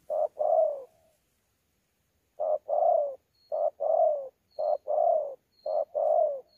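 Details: Spotted dove, newly caught wild bird, thổ pha contest cooing with gù, Sa Thầy, 26 November 2019. One short-long coo pair, a pause of over a second, then four more pairs in steady succession. Other sounds are absent.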